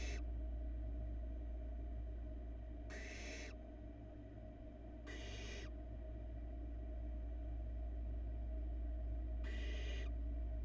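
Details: Youngest barn owl nestling in a Florida nest box, filmed while it swallows a large rat; breathy, rasping hiss-screeches repeat at uneven intervals of two to four seconds, with a constant low hum from the camera setup underneath.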